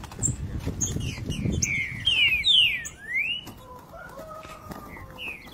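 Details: '3 nota boi' song of a green-winged saltator matched against another: a burst of clear, descending slurred whistles packed closely, ending in a long rising note, then quieter low tones and ambient rustling.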